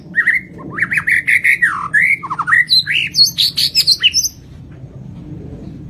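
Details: Lampung white-rumped shama singing actively with complete fill phrases: a rich, varied flow of loud slurred whistles, warbles and down-sweeping notes that climbs to high, quick piping notes before stopping.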